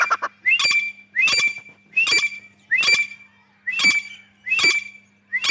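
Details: Female grey francolin calling in the breeding season: a harsh, rising, squawky phrase repeated steadily about every 0.75 seconds, seven times in a row, with a faint low hum behind.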